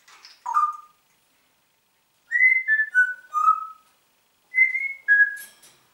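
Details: Talking Congo grey parrot whistling indoors: a short opening note, then a descending series of clear whistled notes, and after a pause two more falling whistles.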